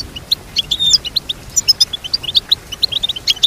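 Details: Goldfinch song: rapid, bright twittering of short high chirps and brief whistled notes, packed closely together with tiny gaps, against a quiet background.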